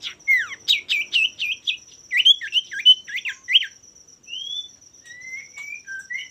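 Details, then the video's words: Male common iora singing to provoke rival birds: a rapid run of sharp chirped notes in the first four seconds, then a few drawn-out rising whistles, over a steady high-pitched insect drone. "pancingan burung sirtu/cipoh gacor jantan bikin lawan ikutan gacor"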